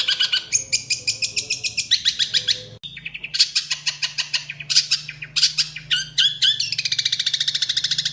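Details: Long-tailed shrike recorded in Cilacap, Central Java, sparrow-style fill-in song meant for training caged birds: loud scratchy squawking bursts in quick series, a short pause, then varied chattering phrases ending in a rapid buzzy trill over a faint hum.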